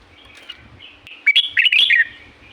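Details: In Pa La-u forest, Thailand, a red-whiskered bulbul starts with faint soft notes, then bursts into a loud phrase of slurred whistles that rise and fall quickly before fading.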